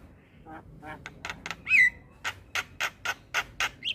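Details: Javan myna in morning song, played for young mynas to learn and copy: a run of harsh, broadband squawks about every quarter second, with one loud falling whistle midway.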